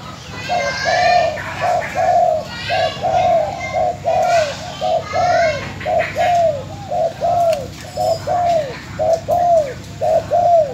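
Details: Decoy spotted dove from Bến Tre, Vietnam, filmed for its new owner after being sold, coos in a fast regular series of about a dozen short down-slurred notes, roughly one per second, with faint chirps from other birds overhead.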